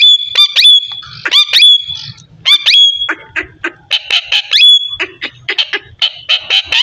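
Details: Talking parrot chattering loudly: quick series of sharp, squeaky harmonic syllables, some with ringing high whistled tones, others buzzy and clipped, delivered in rapid irregular bursts throughout.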